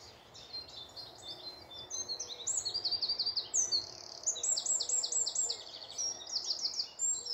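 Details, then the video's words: Morning birdsong in woodland near Malton, North Yorkshire: several birds overlapping in bright, high chirps and quick whistled trills, rising in loudness after the first two seconds and continuing in dense, rapid bursts. "Morning Woodland birds singing"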